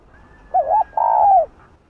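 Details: Spotted dove giving a "Hạp Bổi"-style coo meant to provoke other doves: a short hooked note, then a longer, level note that falls at the end, both low and mellow, with a faint low hum underneath.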